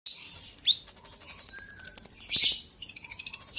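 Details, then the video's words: Olive-backed sunbird song used as a lure to provoke rival birds into singing: thin high twittering with a sharp downslurred note, then a rapid even trill of very high ticking notes, followed by dense chattering. "Pancingan burung konin kolibri ninja auto gacor"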